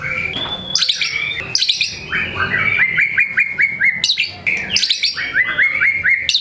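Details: White-rumped shama in peak form, unloading its repertoire of material to prompt lazy birds to sing: varied whistles, sharp high chirps, and a series of short upslurred whistles repeated several times per second.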